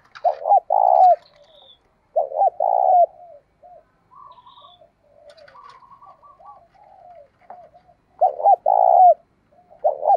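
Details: Lure spotted dove, thổ sấm or thổ bầu voice style, used to make wild doves coo quickly: deep burry coos in bursts, a stuttered note then a long rolling coo, repeated at the start, middle and end, with quieter murmured notes between.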